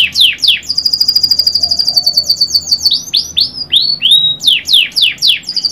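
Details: Canary sings a couple of strong swooping notes, a long rapid ringing trill, then looping rise-and-fall whistles and falling strokes ending in another quick trill.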